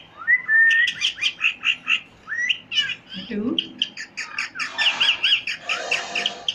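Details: Parrot sounds: a rapid series of sharp chirps and clicks at a steady beat, with short whistled slides, a low throaty squawk midway, then harsh broadband chatter toward the end.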